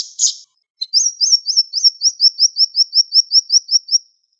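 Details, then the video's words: Fast, sharp siri-siri bird song from a tutor recording: a brief harsh burst, then an even series of high, slurred up-and-down whistled notes, roughly three each second, on a steady pitch. "Masteran Burung Siri Siri Tembakan Tajam Speed Rapat"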